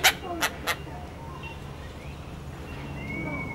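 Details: Dollarbird, Australia: three harsh, rasping chacks in quick succession, then quieter thin whistles from other birds in the background.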